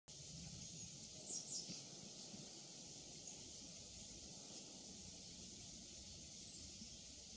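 A hazel grouse gives two brief, very high, thin whistled notes early on, over a steady background hiss and low rumble.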